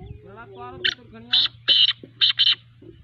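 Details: Partridge giving its call: a short sharp note, then a run of loud rasping, grating notes, two longer bursts followed by a quick doubled pair, with fainter harmonic sounds early on.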